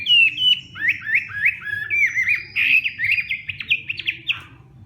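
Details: Competition-style morning song of a Hwamei in training: a series of loud, bright slurred whistles repeated in quick succession, ending in a rapid stuttering flourish, with a faint low hum.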